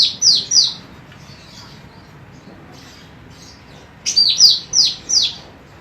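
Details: Female cucak rante, used as a training song for other birds: a pair of high, falling whistles, a quiet gap, then a fast run of four bright descending whistled notes.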